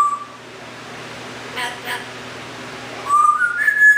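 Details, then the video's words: Rescued male Timneh African grey kept as a house pet: one brief whistle at the start, a quiet gap with faint muffled sounds, then a clear whistle that climbs in steps and holds high. "See Our Parrot Talk And Wave!"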